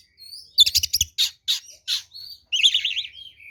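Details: Kacer, the oriental magpie-robin, in fighting song for use as a lure: harsh chattering notes, buzzy bursts, then a rapid wavering warble, with faint whistles between.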